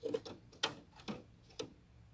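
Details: A young female ultramarine grosbeak, kept as a well-cared-for cage bird, calls to stimulate a young male, giving sharp, clicking metallic chip notes, about five in two seconds at an uneven pace, with a faint background hum.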